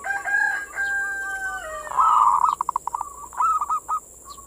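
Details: Perkutut (zebra dove) manggung, sung as bait for local doves: thin drawn-out whistled tones slide downward, then a loud purring coo breaks into quick pulses and bubbly rolling notes, with a steady high whine behind.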